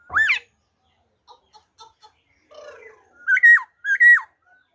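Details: Black-throated laughingthrush in wild-type song on 26 December 2020: an opening loud slurred note, soft scattered ticks, then two strong whistled phrases that rise and fall in steps.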